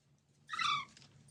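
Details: Baby parrot giving a single short harsh squawk with stacked harmonics, gently falling in pitch, over a low background hum.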